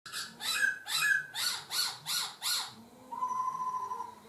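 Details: Laughingthrush singing and changing its voice: seven loud rich notes repeated about every 0.4 seconds, some with upslurred whistles, then a steadier sustained whistled tone indoors.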